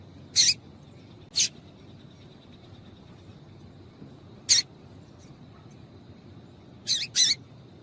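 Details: Female double-collared seedeater calls, used to excite males and set them singing: five short, sharp, high chirps at irregular intervals, the last two close together, over a faint steady high hum and quiet background hiss.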